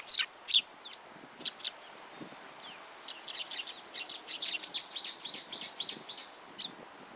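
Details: Sparrows arriving at a feeding platform at a Tenmangu shrine, 14 February 2023: a few sharp, high separate chirps, then from about three seconds a dense stream of short chirps from several birds, with quiet background.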